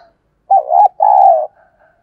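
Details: Spotted dove used as a decoy to lure wild doves, giving one low cooing phrase: a short wavering double note, then a longer steady coo that fades slightly at the end, against quiet surroundings.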